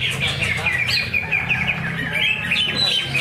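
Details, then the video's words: Contest greater green leafbird at a Thursday practice event beside Danau Bumi Restu lake in Cikunir: fast warbling whistles, looping upward and dropping, in an unbroken stream over faint voices and background hum. "Cucak Ijo"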